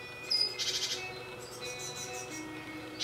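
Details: Young great tits from a second brood fledging at 7 am from a nest box on a balcony; a hoarse, buzzy burst of about half a second, with faint thin tonal lines running underneath.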